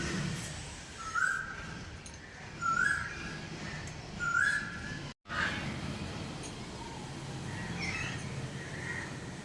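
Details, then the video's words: Asian koel calling near a home. Three clear whistled notes, each sliding upward at the end, repeat roughly every one and a half seconds, then fainter answering notes follow after a short break, over a low background hum. "कोकिळेचा आवाज ऐकायला आपल्याला खूप भारी वाटतं."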